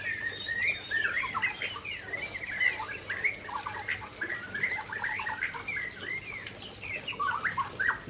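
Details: Aceh white-rumped shama singing hard near a waterfall: a long, unbroken stream of rapid, varied notes, with clipped chirps, upslurred whistles and scratchy squawks tumbling one after another.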